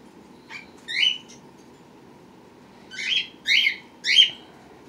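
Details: Pet birds recorded indoors April 23, 2018, with babies born March 31 and April 1: a soft chirp, then a clear bright call, a pause, and three strong ringing calls in quick succession over low room hum.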